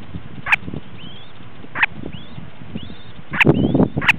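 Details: A semipalmated plover brooding freshly hatched chicks gives soft, rising whistled calls, about four in a few seconds; sharp knocks and low rumbling noise in the background.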